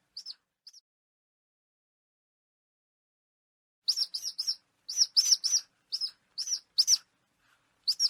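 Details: Falcon call played to scare off pigeons and other birds without harming them: a couple of sharp, high, clipped notes, then a pause and a run of harsh, rapid notes in short bursts.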